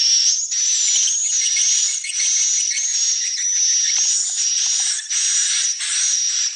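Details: Swiftlet calls: a dense, continuous high-pitched twittering with a sharp whistled tone running throughout, pulsing in bursts roughly every three-quarters of a second.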